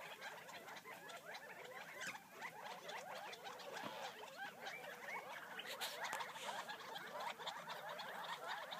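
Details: A flock of wild Gambel's quail feeding near Florence, Arizona, filling the air with dense, low-level chattering clucks that build slightly toward the end.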